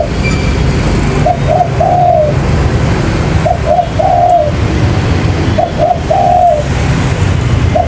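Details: Spotted dove call used as a lure for trapping: soft three-note cooing phrases, two short coos then a longer drawn-out one, repeated roughly every two seconds over a steady low rumble.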